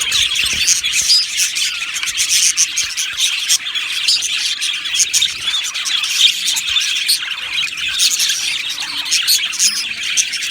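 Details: Chorus of a budgie aviary colony: constant high chirping and warbled twitters from many birds at once, steady and busy throughout, with occasional sharper squawks poking above the mass.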